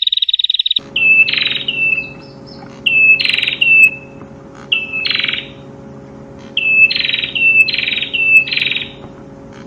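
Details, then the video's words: Prinia song used as a training recording for captive birds: repeated phrases of a thin whistle, then a buzzy burst and a falling trill, each about a second long, over a steady low electrical hum. "Suara Burung Perenjak/ Prenjak"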